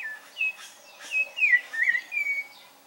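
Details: Rufous-bellied thrush singing: a series of short, clear whistled phrases, each a bright slurred note or quick wavering turn at a fairly high pitch, separated by brief pauses, with a quiet background.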